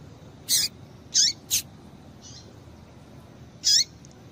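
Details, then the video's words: High, sharp chips from a female double-collared seedeater calling to excite males: three notes in quick succession, a faint softer one, then a single chip after a longer gap. "Piado de Fêmea de Papa capim Para Esquentar Papacapim"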